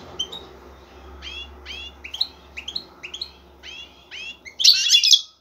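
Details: Excited male European goldfinch seeking a female: a run of quick rising chirps repeated about four times a second over a low steady hum, ending in a loud tangled burst of twittering.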